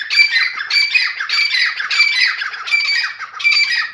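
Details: Grey francolin calling in the morning: loud, harsh, strident phrases repeated in quick succession, about six bursts in four seconds, each grating and buzzy with a ringing high edge.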